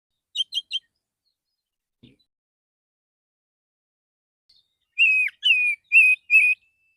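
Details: Male white-rumped shama in the morning, singing to call other shamas: three quick chirps, a quiet gap, then four loud sustained level whistles in a row.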